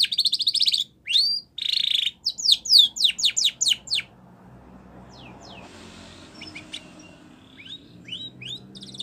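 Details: Spanish Timbrado canary training song: buzzy rattling bursts and a few sharp downslurred whistles in quick succession, followed by quieter, sparse distant notes.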